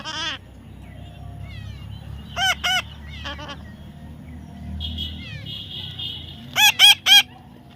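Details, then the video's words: Baby parrot being tamed gives loud, harsh squawks in short bursts of two or three, separated by quieter, thinner calls, over steady low background hum. "natural funny parrot sound"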